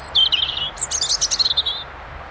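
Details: Robin singing in February: one quick phrase of thin, high, liquid warbling notes that tumble and trill for under two seconds before stopping, over a faint background hum.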